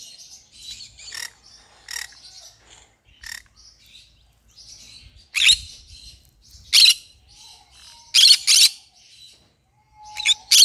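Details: Pet green-cheeked conure chattering: soft scratchy high twitters punctuated by loud rasping squawks at irregular intervals, several in quick pairs toward the end.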